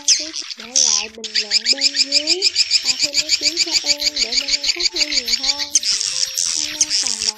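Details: Edible-nest swiftlet calls used to lure swiftlets to a swiftlet house, either flock-calling outside or "lullaby" calls inside: dense, high, buzzy chirping chatter, about three notes a second, over low, wavering, sliding tones.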